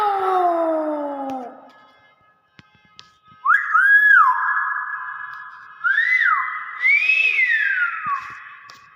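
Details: Common hill myna giving loud, pure whistled calls: a falling note, then long flat whistles that rise sharply at their start and swoop down, spaced by pauses of a second or two. Indoor setting, with people exclaiming in amazement nearby.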